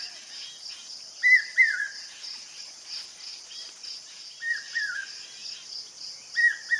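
A common hawk-cuckoo gives its shrill three-note 'brain-fe-ver' phrase about every three seconds. A steady high insect buzz runs underneath.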